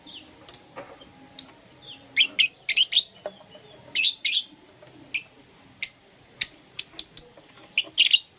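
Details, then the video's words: Morning calls of pet lovebirds, Euwing green opaline and lutino: crisp, piercing single chirps with a few tight clusters, separated by quiet spells of about half a second or more. "Lovebird Chirping Sounds"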